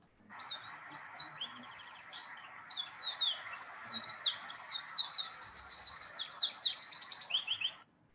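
A wild Atlantic canary sings a fast, high, varied warble of mostly single and compound syllables with few repeats, rising in energy toward the end; faint background hiss.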